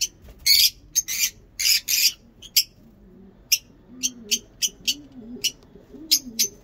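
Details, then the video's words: Lovebird giving loud, harsh chirps in quick clusters, then a string of shorter, thinner chips spaced roughly every half second. A low murmur sits quietly underneath. "Lovebird ngekek panjang"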